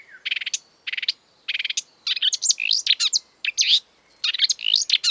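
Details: Marsh warbler (Acrocephalus palustris) singing exuberantly: repeated buzzy rasping bursts followed by a fast varied medley of high sharp chirps, whistles and scratchy notes, full of mimicry.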